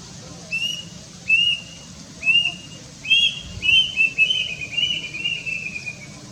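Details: Plaintive cuckoo (Cacomantis merulinus), known as Wiwik Kelabu, Kedasih or Emprit Ganthil and believed to foretell death, recorded with a Nikon Coolpix P900: three separate high whistles, then a quickening run of shrill notes that slides gradually lower.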